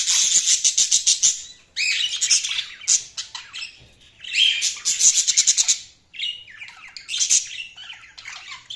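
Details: Budgies chatter loudly with rapid, pulsed, buzzy chirps in fast trains, broken by short warbling phrases and brief gaps.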